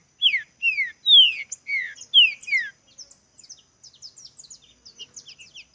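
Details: Green-winged saltator singing in a contest: six clear descending whistles in quick succession, then a long stretch of faint, thin high chips.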